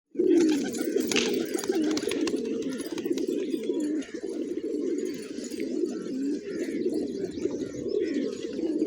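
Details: Flock of hungry village pigeons feeding on fresh grains on a morning, giving a dense, continuous low cooing chorus of overlapping throaty coos, with faint higher chirps and scratchy noises above.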